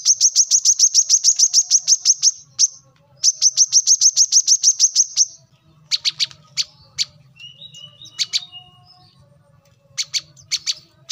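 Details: A brown-throated sunbird (local names kolibri kelapa, manggar, wiceh) sings for a tutor track used to train cage birds: two long, fast trills of high, evenly spaced notes, followed by scattered chips and short twittering notes.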